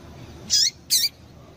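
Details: Two quick, high-pitched, downward-bending chips from a female Double-collared seedeater in rapid succession, a call given to stimulate males, over faint background noise.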